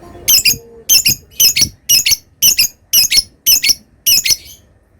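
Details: Lovebird giving sharp, high squeaky notes in short doubled bursts, repeated about twice a second at a steady pace, with a faint low hum behind, matching the 'ngetik' ticking that comes before long ngekek chatter.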